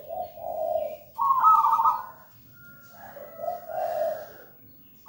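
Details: A local wild-type zebra dove singing persistently and melodiously; soft low coos alternate with a louder, higher rolling coo, then a thin short whistle and another low coo phrase in a quiet setting.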